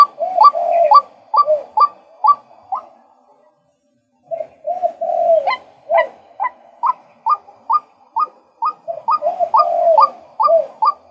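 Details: Calls of a male white-breasted waterhen: quick rising notes mixed with lower gurgling ones, then a brief pause near four seconds. The rapid repeated series resumes, joined by deeper overlapping croaks.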